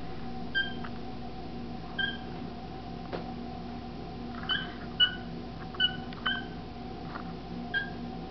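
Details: One-year-old male pet cockatiel indoors, said to be saying his own name as his first words; short clear whistled notes with bright overtones come in sparse, irregular bursts over steady low room hum, with a person speaking afterwards.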